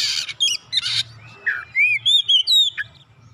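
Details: Oriental magpie-robin singing, meant to stimulate a reluctant bird: two harsh scratchy bursts followed by a series of clear whistled notes, some rising, some falling, each short and bright.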